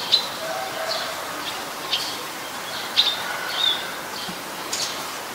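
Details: Eurasian tree sparrow in Ubon Ratchathani, Thailand, 10 May 2020: scattered thin chirps about once a second, some faint, against a steady background hiss.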